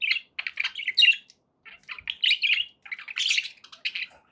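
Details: Budgies kept as pets producing bright chirpy warbling in three bursts separated by short silences; the last burst is the harshest and loudest, ending in softer twitters.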